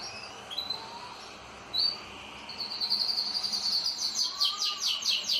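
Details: Several pet canaries kept by their owner: a few scattered high whistles at first, then a bright, rapid trill from about the midpoint onward, buzzing and rattling to the end.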